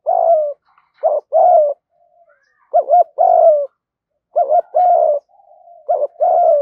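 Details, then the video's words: Male and female spotted doves cooing to excite training birds; repeated phrases of two short looping notes followed by a drawn-out descending coo, several phrases close together, no other sounds. "tieng thuc dau kích bổi nhanh gáy"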